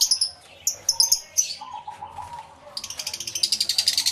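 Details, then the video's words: Aviary full of lovebirds, recorded with a camera and two external microphones; isolated piercing chirps and a softer lower warble give way to a fast, continuous shrill chatter that builds in loudness. "1 Hour Lovebird Sounds Aviary Series V1"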